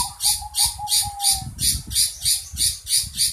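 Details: Long-tailed shrike making an unusual sound: rhythmic series of scratchy, hissing rasps, roughly three each second and evenly spaced, over a thin steady whistle during the first half and a low rumbling background.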